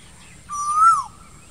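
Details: Single clear whistled note from an Asian koel in summer, rising steadily then falling sharply at its end.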